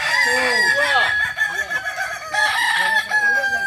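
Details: Kokok Balenggek roosters at a crowing training session in Ampang Kualo, Solok. Several long, tiered harmonic crows overlap: arching rising-falling notes with steady high tones. A brief lull near 1.3 seconds, then more crowing.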